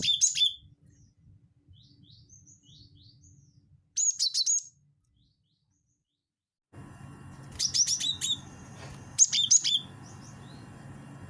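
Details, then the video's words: Cinereous tit in wingko style, a lure call: short runs of high, sharp chirps with lower tail notes, a silent gap, then renewed chattering over a steady background hiss. "pancing bunyi gelatik batu wingko"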